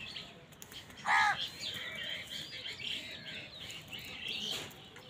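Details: Crow fighting wild birds for food lets out one sharp, raspy caw early on, followed by softer chirping and twittering from other birds.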